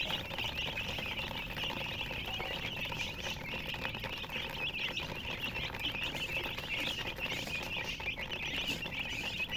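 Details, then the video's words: Chickens, called murgi hen, chirping indoors: a dense, continuous chatter of short, high chirps, overlapping steadily through the whole stretch, with a faint low rumble beneath. "silly chicken chirping sounds with murgi hen color chicken"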